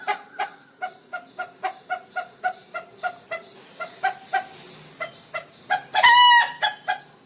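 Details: Rooster kept as a pet, calling when scared: steady staccato clucks at about three per second for several seconds, a brief lull, then a single loud grating squawk followed by a few more clucks.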